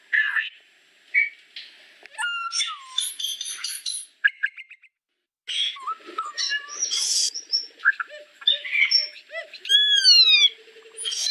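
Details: Song of a solitary cacique, dense and varied: harsh chattering bursts, high tinkling notes, a sliding whistle, squeaky stuttered phrases and a run of descending slurred whistles, with a brief silent gap midway.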